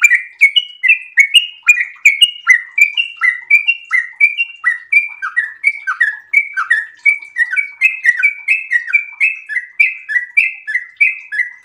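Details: Long, rapid song of a sooty-headed bulbul in breeding condition: nearly twelve seconds of steady, chattering whistled notes, each sharply slurred, flowing without pause in an even, rolling rhythm.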